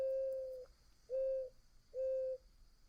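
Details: Mourning dove call: three soft, low, even coos, the first longest and the next two shorter, spaced under a second apart, with a faint constant high hum in the background.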